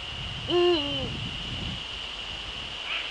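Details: Evening recording of a male Eurasian eagle-owl, Netherlands, 30 January 2013 at 18:00: one low, resonant hoot with a short level start and a falling tail, followed by faint low rumbling and a steady thin whine.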